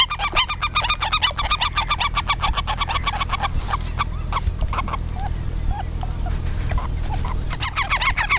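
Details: Black-tailed godwits mating at Ochsenmoor, Hüde, 10 April 2020 at 16:10, give a rapid run of nasal, harmonic calls, several birds overlapping about twice a second, over a steady low rumble of wind.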